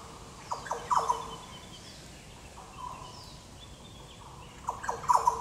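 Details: Yellow oriole (Oriolus flavocinctus) at Goomboora Park, Cairns, Queensland, Australia, 9 September 2022: two bursts of short liquid rolling notes, one near the start and one at the end, separated by quiet with faint background birds.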